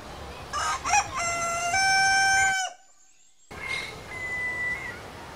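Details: Rooster crowing in Southwest Asia: rough stuttering opening notes lead into a long, pure, ringing harmonic note, then a silent gap and a fainter, thin higher call from farther away.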